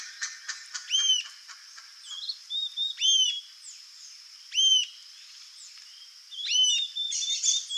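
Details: Rufous-tailed jacamar singing a few loud, high, arched whistled notes spaced irregularly, with softer thin twittering phrases in between and a constant high background hum.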